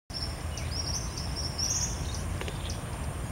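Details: Buffy hummingbird (Leucippus fallax) song, recorded 23 March 2016 at Puerto La Cruz: a fast series of thin, very high squeaky notes strung together almost without pause, over a steady low background rumble.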